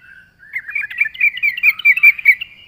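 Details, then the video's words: Yellow-vented bulbul singing as a bird lure: a continuous, babbling warble of fast liquid notes that rises slightly and holds steady for about two seconds. "suara burung trucuk gacor RAJA PIKAT pandai memancing bunyi trucukan bahan dan ombyokan"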